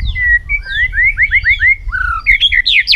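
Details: White-rumped shama in competitive fight singing in the afternoon sun: a fast run of rich rising whistled slurs, each about a quarter second, ending in higher twisting notes over a faint low hum.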